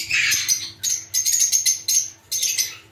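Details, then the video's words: A lovebird colony chatters as a busy flock, with shrill, buzzy chirps and squeaks overlapping in rapid bursts of about half a second each. "Love Birds Sound"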